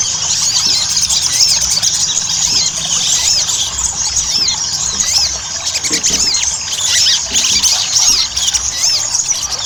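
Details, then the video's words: Lure recording of Ruby-cheeked sunbird in gacor ngobra style to make birds sing: nearly ten seconds of busy, high-pitched twittering with rapid rising and falling squeaky notes and no breaks. "PANCINGAN SOGON AGAR CEPAT GACOR"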